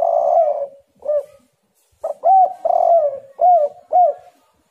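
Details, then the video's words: Spotted dove calling, used as a lure to provoke other doves into cooing: low hoarse coos around a steady pitch, a long drawn note followed by a series of short arched coos repeated roughly every half second, nothing else heard. "tekukur super gacor, bikin Lawan langsung birahi"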